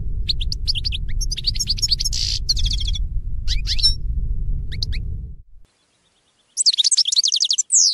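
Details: Goldfinch singing as a teaching song for captive birds, liquid twittering and quick tinkling notes over low rumbling noise, then a brief silence before a fast, clean run of repeated bright chirps.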